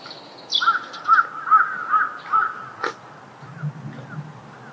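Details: Common moorhen giving its loud call at a pond: five harsh, nasal notes in a quick series, roughly two per second, followed by a sharp click and then quiet background.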